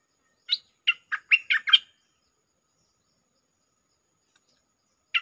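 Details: Bulbul singing as a lure sound: a rich phrase of about six quick, liquid, warbling whistles in just over a second, then a long pause before a single note starts the next phrase.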